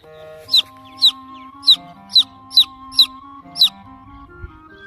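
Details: Baby chicken chick chirping while looking for its mother hen: seven loud, high, downward-sliding peeps, roughly every half second, over steady musical tones in the background.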